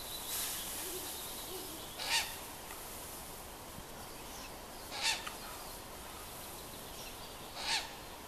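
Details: A Ural owl near Oulu, Finland, in June 2015 gives three harsh, hoarse, rasping calls, roughly one every three seconds, over a steady background hiss.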